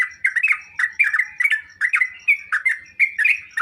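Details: Sooty-headed bulbul song played as a training sound to make other bulbuls answer and sing at once: short bubbly whistled phrases, slurred up and down, coming in quick bursts about every half second with brief gaps between.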